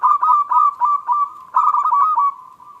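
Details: Local zebra dove giving a "klung kecil" lure song meant to provoke quiet doves into singing: rolling, ringing coos run together in two bursts, the second trailing off into a drawn-out note.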